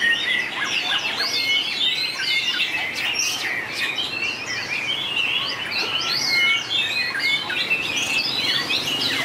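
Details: White-rumped shama in a 2019 singing contest, praised for long voice changes: sustained, highly varied whistling with sharp downstrokes, trills and chattering runs, continuous throughout with only brief dips in loudness.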